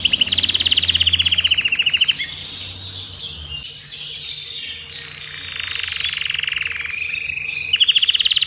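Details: An adult male Agatha-breed Belgian canary, intense yellow, sings a loud, continuous song of rapid high trills and rolling warbled phrases to warm up a female for breeding and train young. A low hum sounds behind.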